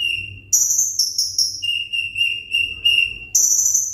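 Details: Caged sunbird, said to be eager for the contest hanging stand, giving long, steady, high whistled notes that alternate between a very high pitch and a lower one, in phrases of about half a second to a second.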